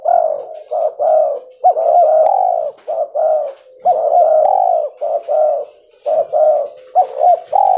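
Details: Spotted dove, a white albino mutation, delivering dense runs of soft throaty coos, clipped rising notes alternating with longer rounded tones in steady bursts, with a faint high whine in the background.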